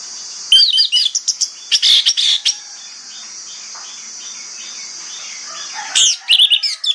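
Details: Orange-headed thrush in morning song, used to lure other thrushes to respond: two bursts of quick, chattering whistled phrases, a lull filled with soft distant warbling and steady hiss, then a final loud, varied flourish.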